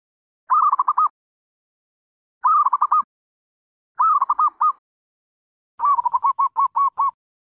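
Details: Zebra dove repeating short bursts of clipped, rapid coo notes, three compact phrases and then a longer trilled run of about ten notes, set against silence.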